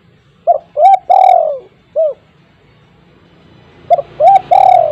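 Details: Spotted dove calling, a recording meant to prompt quiet household doves to join in. The phrase of short cooing notes and a long, loud, falling rolled coo, plus a single coo, is heard twice with a gap between.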